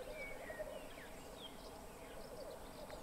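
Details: Black grouse at a lek during courtship display on 2 May 2021 give a low, steady, dove-like bubbling that rolls on without a break, with faint thin whistles from other birds above it.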